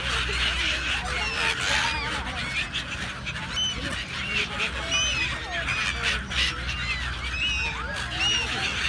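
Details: Crowd of gulls calling over one another, a dense overlapping chorus of harsh, rising-and-falling squeals and yelps with some higher thin whistles, over a steady low hum throughout.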